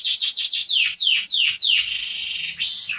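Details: A canary (Serinus canaria) sings, as training song for young birds, a run of about nine quick, high downslurred whistles, then a bright sustained buzzy trill ending in a rising sweep.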